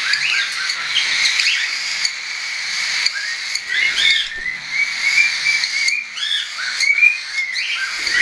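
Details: Young hand-tame cockatiels flying on 10 September 2012, some not yet weaned; drawn-out whistled notes mixed with short curved chirps, several birds calling at once, with breathy background hiss.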